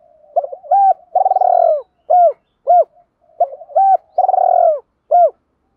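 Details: Spotted dove cooing to bring wild doves in, giving two near-identical phrases. Each has quick short coos, a long pulsed descending note, and two clipped arched coos after it.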